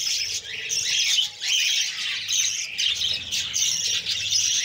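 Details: Budgerigar chicks begging while a female feeds them: a dense, harsh, raspy chatter that runs almost without pause, with brief dips in loudness. A faint low hum sits underneath.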